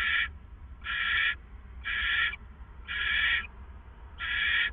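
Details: Two owls before dawn at a hideout, April 27, 2014, 4:49 a.m.; five evenly spaced raspy, hissing screeches, each about half a second, recur about once a second over low background hum.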